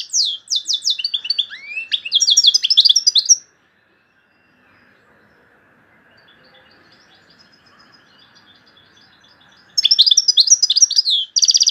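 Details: Loud, high song of an Algerian European goldfinch, its phrases featuring tourougio, kaka gio and bourouis: fast twitters and a rising sweep, a long pause of faint chirps, then another burst of trilled phrases.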